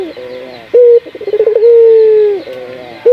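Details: Spotted dove coo played to get other doves calling: one short hoot, then a rapid stuttering roll building into a long steady drawn-out note that fades, with a new hoot beginning at the end.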